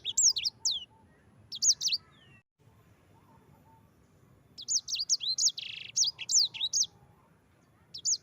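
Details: Yellow-fronted canary singing, recorded as master material for training other birds; clusters of high, swooping whistled notes separated by silent gaps, with a buzzy burst in the second run.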